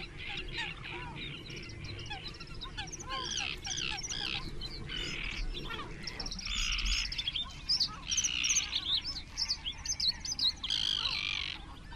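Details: Great crested grebes at a crowded nesting site of about 20 birds, 21 June 2024, call in a dense run of harsh, rattling and whistled notes, about two or three a second, with low water or wind rumble underneath.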